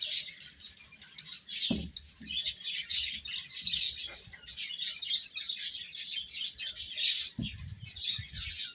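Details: Little chicks chirping while they eat: many high, thin peeps running together in rapid bursts, with a few dull knocks near the start and end.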